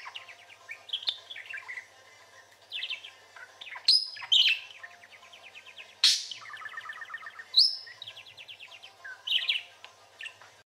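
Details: A male pet parakeet chatters nonstop in high, scratchy warbles, broken by buzzy rattling trills and sharp squeaks every few seconds; no other sounds.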